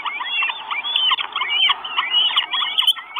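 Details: Four northern goshawk chicks at a nest in Estonia, recorded by a live nest camera on 1 June 2022, begging for food with dense, overlapping high chirps and squeals that run on without pause.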